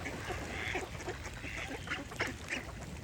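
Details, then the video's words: Short nasal duck quacks sound at an uneven pace, about three a second, over a faint rumbling background with birds singing. "Cute Duck Quack Sound Effect with Birds Singing"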